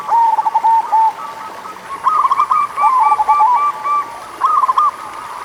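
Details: Lure song of a local zebra dove for doves that are slow to sing: several rhythmic bursts of rolling coo notes separated by brief pauses, over a faint steady high-pitched tone.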